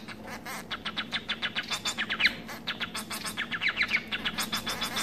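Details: Society finch, a domestic munia hybrid, starting quietly then giving a steady series of short buzzy chirps, roughly three or four per second, with a few louder rasping notes and a low background hum.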